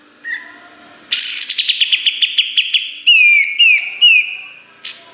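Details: Training master of kapas tembak song in a busy style full of sharp notes, used to tutor competition songbirds. A loud, rapid string of piercing chirps gives way to three downslurred whistled notes.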